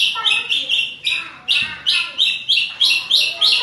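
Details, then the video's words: Provoked by a rival, a white-rumped shama sings hard and fast: harsh, buzzy high bursts repeated roughly three times a second, with a short break and a brief low thump midway. "MURAI BATU GACOR NGEROL KASAR DAN NEMBAK RAPAT"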